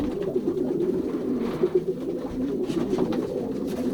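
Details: Indoor loft of young racing pigeons pairing during the 2023 season in the Pruszków section, Poland: unbroken low cooing from a crowd of birds, rolling and bubbling, with faint clicks and scuffles.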